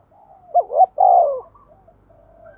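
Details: Decoy spotted dove, 'giọng thổ' voice. One loud phrase: a brisk double note, then a long, smoothly falling coo. Quieter cooing hums before and after.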